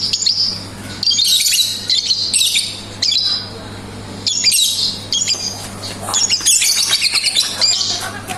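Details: Lovebird in continuous ngekek chatter, rapid harsh squawking and chattering phrases running almost without pause, with high rising and falling inflections.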